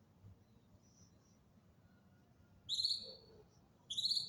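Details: Winter songbird singing: two bright, high whistled phrases a little over a second apart, each a quick run of clear notes with ringing harmonics, set against near silence.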